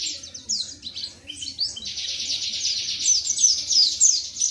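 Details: White-eye from Indonesia with varied high chirps followed by a long, steady, buzzy high trill with sharp whistled notes on top.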